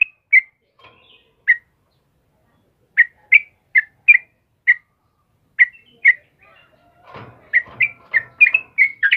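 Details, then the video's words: Sooty-headed bulbul of the 'kebo' type in vigorous morning song: scattered bright whistled chirps, sparse at first, then packing into a fast, busy sequence near the end with a faint rustle behind. "suara burung trucukan GACOR PAGI HARI"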